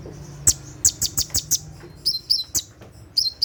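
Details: Konin, the brown-throated sunbird, sings its 'tembakan' song at night to help train caged birds. A quick string of high sharp notes is followed by several short falling whistles.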